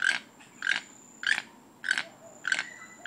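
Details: Toucan mating song: harsh, buzzy croaking notes repeated about every 0.6 seconds, five in three seconds, with a thin steady high tone underneath.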